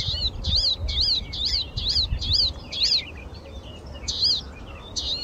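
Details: A Palestine sunbird tweets a rapid series of high, arched chirps, about two a second, then pauses briefly before a few more, over low rumbling background noise.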